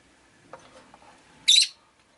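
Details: Rosy-faced lovebird, one of five caged by a window: faint low rustles and clicks, then a single loud, shrill, harsh chirp.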